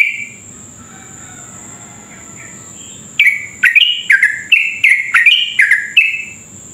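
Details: Sooty-headed bulbul with long ropel song, used to provoke other bulbuls into singing: a burst of rapid, bubbly chirping notes sliding between high pitches, with a steady high tone throughout and faint background murmur.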